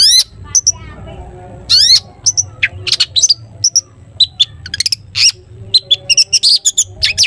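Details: Long-tailed shrike delivering a busy 'toet toet' song packed with varied notes, meant to lure other shrikes into singing: rapid doubled chips, sharp ticks and two long raspy slurs, almost continuous over seven seconds.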